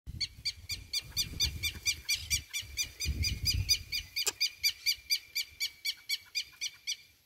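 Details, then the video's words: Juvenile rufous-bellied thrush filmed on 28 November 2022; rapid, regular high chirps repeated about twice a second throughout, with low rumbling background noise. "FILHOTE SABIÁ LARANJEIRA"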